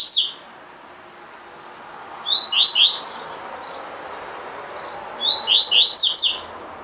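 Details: Double-collared seedeater singing the tui tui song style, in a recording for training caged birds: short bursts of quick, high, sweeping chirps. A lone note opens, then clusters of two to four notes come about three seconds apart over a steady faint hiss.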